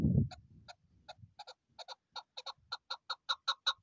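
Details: Chukar partridge calling: a series of sharp, clucking notes that starts sparse and quickens into a steady rapid chatter of about five notes per second, after a low thump at the start.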